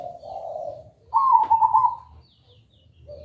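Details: Zebra dove song used as a lure to make another dove sing loudly: a soft low coo followed by a brighter, rapidly rolling trilled coo, then a brief faint note.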